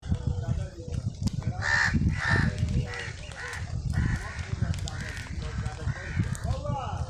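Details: Crow calling while eating, in a scene with a squirrel; a few harsh, raspy caws cluster in the middle, over steady low rumbling background noise and faint voices.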